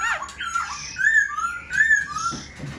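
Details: Caged Black-throated laughingthrush kept indoors, shown fanning its tail and raising its wings, gives loud slurred whistles that rise and fall, with brief pauses between phrases in a small room.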